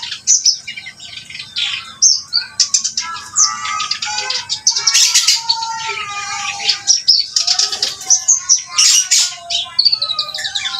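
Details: Energetic reed warbler song: a long, busy run of scratchy, chattering high notes mixed with short whistled tones lower down, with loud bursts in quick succession throughout.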